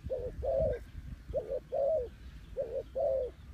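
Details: Spotted dove call used as a lure for trapping birds: soft, low hooting coos in close pairs, six notes in about three and a half seconds, each slightly rising then falling, over a low rumble of background noise.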